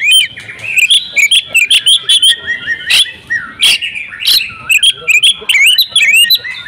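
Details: A caged female oriental magpie-robin sings insistently, mixing mimicked phrases into a stream of loud whistled slurs and sharp high clicks, broken by a few harsh broadband notes.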